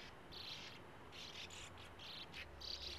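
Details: Sand martins at a breeding colony by a gravel-pit lake, nesting in burrows dug into a small earth mound's steep face; short raspy, buzzy bursts in quick succession, several overlapping, over a faint low hum.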